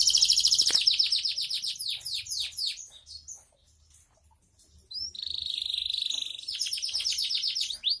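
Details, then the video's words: Canary, a keen non-stop singer, pours out fast repeated high sweeps, falls quiet for about two seconds, then resumes with a steady buzzy trill and more rapid rolling notes. "Kenari bocor rajin"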